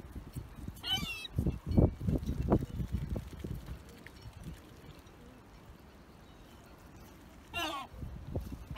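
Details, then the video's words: Squawking gull in Bray harbour, Ireland: two harsh wavering squawks, one near the start and one later, over low rumbling and knocking harbour noise. "SQUAWKING SEAGULL"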